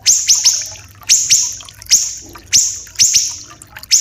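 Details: Grouped bursts of two or three very high, sharp, falling notes roughly every second from small siri-siri (common iora), trailing into a thin sustained tone, with trickling water in the background; recorded as a tutor song for captive birds.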